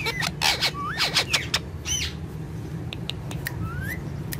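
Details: Two pet ringneck parrots that are friends, dancing and talking: rising and falling whistled notes mixed with short harsh squawks and clicks, then quieter chirps and a final rising whistle over a steady low hum.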